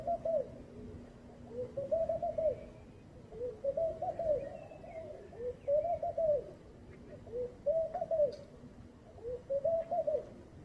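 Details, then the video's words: A laughing dove sings a steady series of about six soft, bubbling coo phrases, one roughly every two seconds, each rising then dropping in a low, mellow tone; morning, with faint distant bird chirps. "צוצלת הומיה בבוקר فاختة النخيل"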